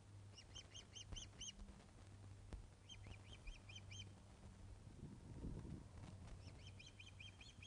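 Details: Ospreys at their Loch of the Lowes nest in Scotland, 21 August 2012, 16:35, with a fish arriving, webcam audio: repeated bursts of rapid whistled chip notes, each burst four to six notes, with a low hum beneath.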